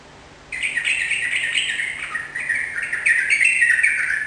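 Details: Yellow-vented bulbul, a caged trucukan in full song meant to get other kept birds replying; one continuous burst of lively, bubbling, rapidly changing notes that grows slightly louder toward the end.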